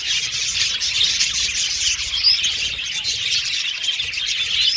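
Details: High, rapid chirping from a budgerigar colony kept in an aviary, a dense twittering mass with one sharper squeak near the middle.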